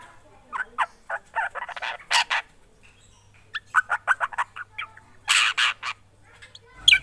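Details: Black drongo, described as singing actively, gives a varied run of harsh, buzzy and chattering notes in short bursts, with a loud burst near the end and quiet pauses between phrases.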